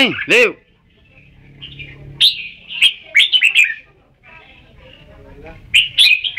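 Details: Red-whiskered bulbul giving bursts of rapid chattering, warbled whistles, preceded by a couple of lower nasal calls and separated by quiet gaps.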